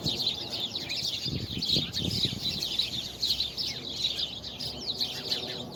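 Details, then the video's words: Birds singing on 24 February 2020: several high, quick chirps and twittering notes overlap throughout, with a steady hiss of background noise and a few low rumbling sounds around the middle. "Birds singing"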